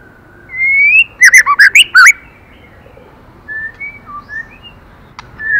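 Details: Female white-rumped shama prompting the male: a rising whistle opens a loud burst of five quick, harsh warbled notes, followed by softer scattered whistles and a click.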